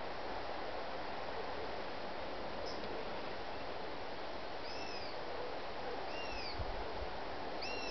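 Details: A Eurasian sparrowhawk, one of a noisy family at Holme, gives thin, high, arched whistled calls about every second and a half, partly masked by steady wind roar.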